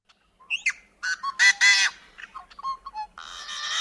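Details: Yellow-headed Blackbird musical song of a wetland bird: a few clipped intro notes, then harsh rasping bursts and odd clicks, ending in a long, buzzy, grating scream given with head thrown back.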